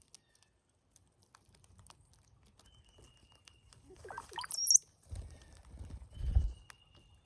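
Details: A cowbird, one of a flock at a feeder during migration, sings a gurgling glug-like phrase rising to a sharp high whistle, followed by low muffled thumps and rustling.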